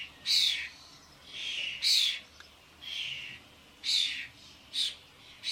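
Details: Adult common starlings with fledglings at a suet feeder in a garden, many birds present; harsh, breathy rasps at irregular intervals, some loud and shrill, others quieter and lower.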